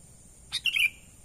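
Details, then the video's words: Sooty-headed bulbul's natural lure call, used to attract wild birds: a single quick, liquid phrase of a piping note followed by a gurgling descending trill, with a faint steady high-pitched tone in the background. "pikat burung kutilang suara alami"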